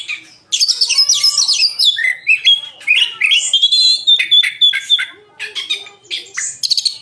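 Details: Oriental magpie-robin singing a loud, rich song of varied whistles, rapid chattering notes and sweeping phrases, with sustained whistled tones near the middle, dense and continuous throughout.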